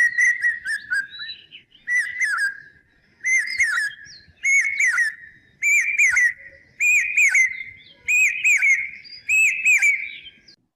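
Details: A male Common Hawk-Cuckoo (brain-fever bird) in Maharashtra, heard as the monsoon approaches in breeding season, gives loud, shrill whistled phrases repeated roughly every second and a quarter in the rising 'brain-fever' pattern, wooing a female and claiming territory. Nothing else intrudes.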